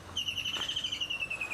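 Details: A kingfisher calling during a morning drive at Djuma, 12 August 2016, gives a fast, high trill of about ten clipped notes a second, sliding gradually lower in pitch, with faint background hum.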